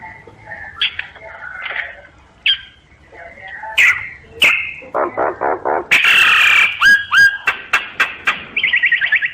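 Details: Common myna singing a varied string of warbled and slurred notes, harsh nasal pulses, a loud grating burst and hooked whistles, closing with a quick rising trill.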